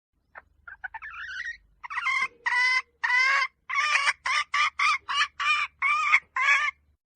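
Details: Domestic hen calling: a few soft, rising clucks, then a run of loud, harsh, harmonic notes. Each note lasts about a quarter second and repeats roughly every half second in an uneven rhythm.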